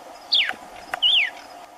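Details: A red-cowled cardinal (Paroaria dominicana), unseen in the Caatinga, sings in the background while another eats corn on the ground: two clear whistled phrases, the first sliding down, the second rising then falling, over a faint hum.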